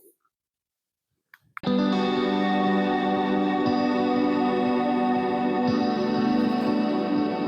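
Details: Near silence with a few small clicks gives way to loud, steady guitar music with effects, sustained chords ringing throughout, and no wildlife calls audible.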